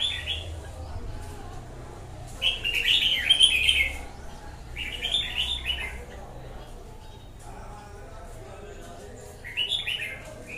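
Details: Red-whiskered bulbul singing short, bright warbled phrases, each about a second long, with gaps of quiet between them and a low background hum.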